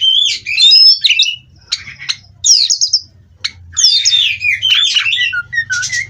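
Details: Contest-bred caged Oriental magpie-robin in full song, alternating sweet rising and falling whistles with harsh scratchy trills and quick chattering notes, brief gaps between phrases, faint low background hum.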